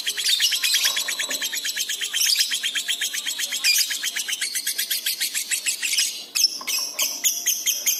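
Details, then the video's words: Lovebird in a masteran recording made for training pet birds, giving fast, dense, buzzy high chatter of rapidly repeated notes, then sharper separated chirps near the end. "masteran love bird gacor cepat respon emosi memuncak"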